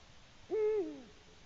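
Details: Eurasian eagle-owl at its nest on 21 March 2020 at 6:16 p.m., bringing a small gray mammal, apparently a shrew, and hooting repeatedly before flying off with the prey; one low hoot, rising then gently falling, with faint hiss behind.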